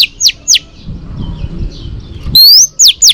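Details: Female Oriental magpie-robin whistling to stimulate males: two sharp descending notes, a pause over low background rumble, then a long rising whistle followed by two more quick falling notes.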